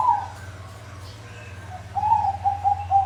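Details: Zebra doves in a group used to coax non-singing birds; brief rolling coo, a quiet hum-filled gap, then a series of short pulsed coos.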